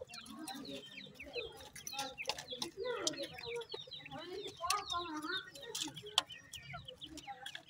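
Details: Playful baby francolin chicks kept with pheasant chicks, a steady chorus of overlapping high peeping notes, many short downward slurs, over soft low clucks and a faint background hum.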